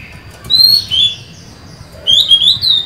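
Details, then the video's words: Female Oriental magpie-robin singing to lure a male: two short phrases of thin wavering whistles, the second with quick warbled inflections. "Chòe than mái mới: 23/7/2020; hót hay, kích bổi máu chiến!"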